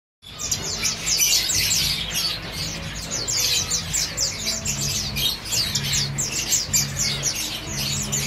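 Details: Two caged male red avadavats, father and son, singing; continuous high, fast twittering and chirping notes with a steady low hum underneath throughout.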